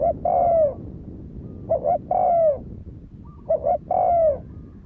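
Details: Spotted dove calling in fighting style as a lure for a decoy: three phrases, each a brief doubled hoot followed by a long coo dropping in pitch, over a soft background hiss.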